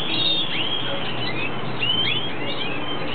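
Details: Red siskin (cardenalito de Venezuela) during breeding season giving quick upward-sweeping chirps and brief whistled notes in small bursts over a constant low droning background.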